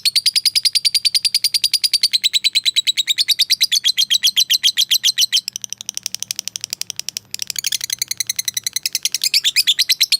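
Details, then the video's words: Lovebird fighter giving a long ngekek chatter to call a rival: a long run of fast, buzzy, harsh notes, a brief pause, then the rapid chatter resumes even louder. "Suara Burung Lovebird Memanggil Lawan Memancing EMOSI, AWAS NYAUT !!"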